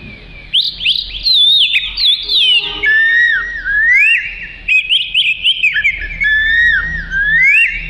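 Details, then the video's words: Black and white long-tailed oriental magpie-robin in full, lively song used for training other birds: a continuous stream of varied whistled slurs, rapid twittering notes and looping phrases, steady and loud throughout, with faint low background hum. "Kicau Kacer Gacor Cocok Untuk Isian"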